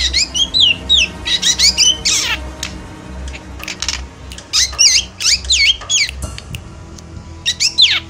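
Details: Javanese black drongo giving emotional, chattering song, used as a lure for birds in moult; rapid bursts of sharp, sweeping whistled notes rising and falling, clustered in quick runs with short pauses, over a faint low hum.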